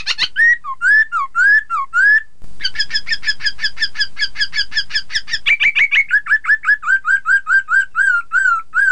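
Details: Chinese hwamei song, played as training so rival birds join in singing: loud rich whistled phrases, first slurred rising notes, then a fast stuttering series of rapid repeated notes, ending in a run of evenly spaced upslurred whistles.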